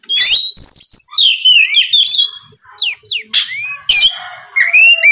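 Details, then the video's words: Oriental magpie-robin song used to goad rival magpie-robins into singing: sweeping whistled slurs and quick warbles, followed by downslurred notes, a harsh rasp and a final rising whistle. "SUARA PIKAT BURUNG KACER NGEPLONG DIJAMIN BIKIN KACER LAWAN LEKAS BUNYI NYAUT & GACOR"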